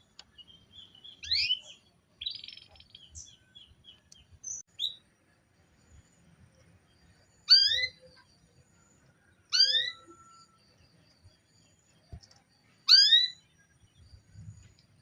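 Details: Female canary calling to provoke singing from a male: a scatter of short chirps and a brief trill early on, then three clear upward-sweeping harmonic calls spaced two to three seconds apart in a quiet room.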